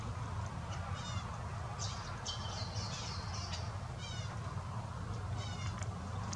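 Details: Double-barred finches feeding give thin, high, nasal call notes in short bursts every second or so, over a steady low rumble of background noise.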